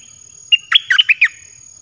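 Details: A single quick dok taeng phrase from a caged red-whiskered bulbul, used as a wild-bird lure: five or six cheerful, looping whistled notes in under a second, against a thin high steady tone.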